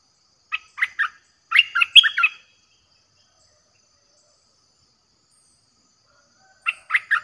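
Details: Streak-eared bulbul lure song, fierce-sounding and played to draw in wild birds: short bursts of chirpy, warbled notes in two quick groups, a long pause, then another three-note burst at the end.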